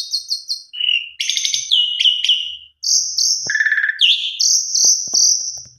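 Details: A Javan pied starling pours out its varied song, full of fill-in phrases, as a lure for other starlings; a triple high whistle, chattering bursts, a buzzy trill and long drawn-out high whistles.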